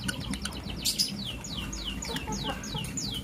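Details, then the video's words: Blue lovebird chirping in the morning: a fast series of shrill, high chirps, each sweeping sharply downward, repeated about every third of a second, over low background rumble. "Blue Lovebird Chirping Sound"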